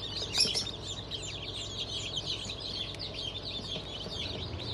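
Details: Newly hatched chicks of Black Australorp, Sussex and pheasant breeds, a hatch of 25 May 2023; many overlapping high peeps and short chirps form a dense continuous chorus, with a low steady hum underneath.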